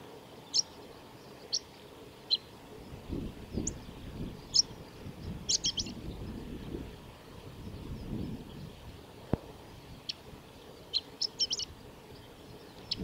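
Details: Male chestnut-eared bunting (Emberiza fucata) singing at the Kita-Fuji training area, Japan, on 21 May: high, thin chips and brief, hurried twittering bursts every second or two, over a low rumble of wind.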